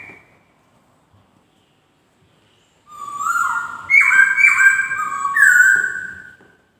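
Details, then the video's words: White-crested laughingthrush singing: after three quiet seconds, a loud run of rich, clear whistled notes stepping up and down between mid and higher pitches, with ringing overtones, lasting about three seconds. "BURUNG POKSAY DENGAN BERKICAU MERDU"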